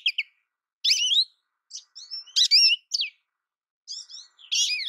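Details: American goldfinch giving separate high, slurred, wavering notes and short chips, spaced irregularly with silences between them.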